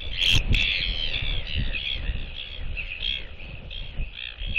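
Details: Breeding pair of northern royal albatrosses greeting each other with skycalls at their nest during egg incubation, reaffirming their bond, filmed by a nest webcam on 16 December 2023: a run of harsh, nasal, braying notes in quick succession, with wind rumble underneath.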